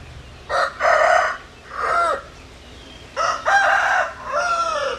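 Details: Domestic rooster giving two loud crows in quick succession, each a broken, harsh series of syllables with a drawn-out wavering close, and distant crowing between them.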